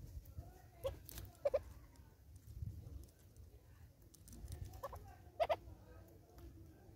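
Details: Southern red-billed hornbill at a bird feeder in South Africa, giving a few soft, low clucks, single notes and quick doubled notes spaced seconds apart, over steady low background rumble.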